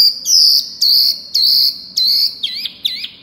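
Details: Pygmy cupwing singing loudly: long, piercing, slightly falling high whistles repeated about every half second, ending in two shorter wavering, looping notes.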